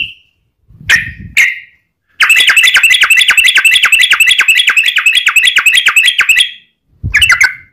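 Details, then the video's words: Yellow-vented bulbul in fighting 'ropel' mode, used to spur other bulbuls to sing. A few separate chirps with low thumps lead into a four-second burst of dense, harsh, rattling chatter, then one more chirp. "trucukan gacor TARUNG ROPEL PANJANG pancingan trucukan agar bunyi"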